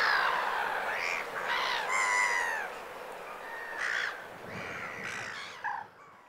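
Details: Black-headed gulls in winter plumage on the Vilaine estuary, Morbihan, France, 22 February: scattered harsh, croaking cries at irregular intervals, a few shorter higher notes, fading toward the end.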